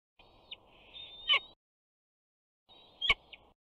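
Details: A young bald eagle, 68 days old, vocalizes at its Big Bear nest on 21 June 2019 while a parent brings fish. Two short bursts of piercing whistled notes, each ending with a sharp click, are separated by a silent gap.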